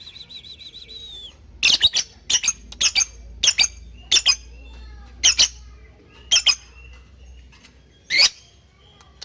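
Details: Lovebird ngetik calls meant to summon a partner into chattering, for training young lovebirds: a short wavering whistle, then a run of loud harsh shrieks, some doubled, spaced about half a second to a second apart.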